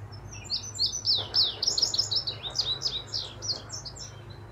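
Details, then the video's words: Indigo bunting still in incomplete molting plumage sings a lively high song: repeated down-slurred sweet notes in pairs, quickening into a jumble of thin chirps, with a steady low hum underneath. "Indigo Bunting Pays a Visit with a Song"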